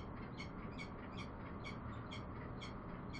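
A bellbird gives short, bright, ringing notes about every half second over a steady low rumble of background noise.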